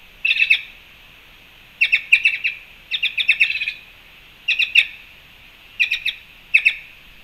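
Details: Several black-chested jays at a fruit feeder in Panama, recorded March 2, 2021, give repeated bursts of sharp, harsh chips, several notes each, about every second, with a constant high background hiss.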